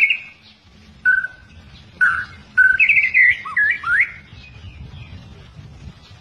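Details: White-rumped shama, an albino or blorok mutant bird kept in captivity in Indonesia, giving separate clear whistled notes, then a quick run of looping, warbling whistles before falling quiet, with low background rumble.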